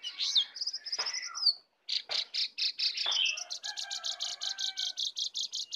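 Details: Sooty-headed bulbul song from a wild-versus-caged contest, rich in 'isian' fill; sharp chirps give way after a short gap to a steady series of evenly repeated high buzzy pulses.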